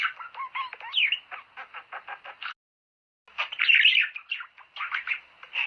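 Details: Budgerigars singing to prompt breeding: a run of evenly spaced clicking chirps and a few whistled slurs, a short silent gap, then louder squeaky warbling chatter.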